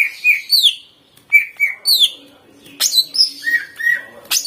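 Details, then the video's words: Greater green leafbird song meant to draw leafbirds into singing. A lively mix of descending high slurs, level whistles and harsh chips comes in irregular bursts of about three to four notes. "CUCAK IJO GACOR FULL NEMBAK suara kasar"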